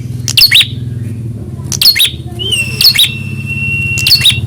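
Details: Responding to a rival to show its fighting spirit, a prinia gives spaced bursts of sharp high chips and a sustained flat whistle near the end, over a steady low engine-like hum.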